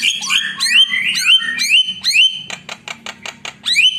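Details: Javan myna (jalak kebo) lure song meant to rile rival birds: loud rising whistled slurs repeated about twice a second, then a run of short harsh clicks and a final upward whistle.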